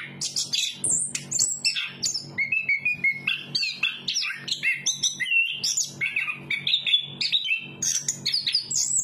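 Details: A chestnut-capped thrush (Geokichla interpres) sings a fast, unbroken run of varied high whistles, trills and chirps, with a faint low hum underneath.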